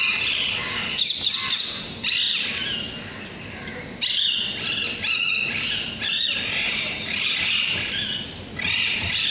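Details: Parrot calls: harsh, noisy squawks and screeches run almost continuously, overlapping in bursts with brief dips between them.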